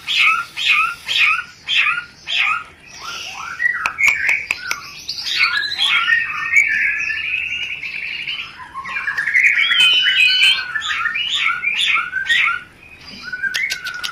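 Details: Shama rencetan meant to stir breeding urge: short two-note phrases repeated about every half second, then a long fast rattling trill and varied warbled chatter, with occasional clicks.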